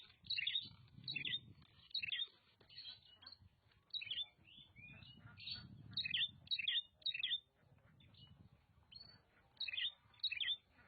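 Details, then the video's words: Oriental magpie-robin from Nagan Raya, Aceh, singing in bursts of sharp whistled and scratchy phrases, clustered notes every second or so, with a low rumble of background noise beneath. "Kacer Nagan Raya Aceh (Copsychus saularis)"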